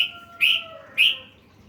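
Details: Yellow-vented bulbul singing a full set of learned phrases for training other songbirds: two sharp, bright chirps half a second apart over faint, level whistled tones.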